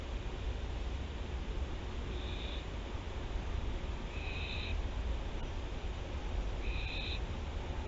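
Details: Three brief, breathy hisses from barn owls at Théding, France, on 24 September 2021, spaced roughly two and a half seconds apart, over a soft steady hum.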